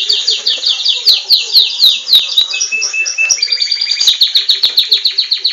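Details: Captive-bred Belgian canary in full song, possibly answering a recording of itself: fast repeated downslurred chips, a sustained whistled tone near the middle, then steady rapid pulsed trills.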